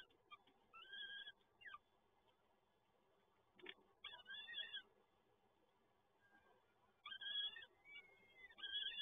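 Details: Peregrine falcon chicks begging while being fed at the PGE Toruń nest in Poland, 30 April 2022: wavering, wheezy two-toned wails in bursts of about half a second, separated by quiet gaps and a single knock.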